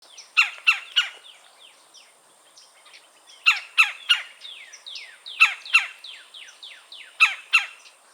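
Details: Red-bellied woodpecker calling in Florida, filmed on a Canon R5 C: sharp, clipped notes in quick pairs and triplets, separated by short gaps and mixed with fainter downward-sliding whistles.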